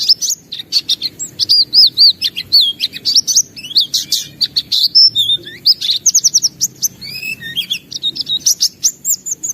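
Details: White-eye singing vigorously with an open beak and showing off its repertoire: rapid high, thin warbled phrases of sweeping whistles and twitters, broken by short pauses, with a faint low background hum.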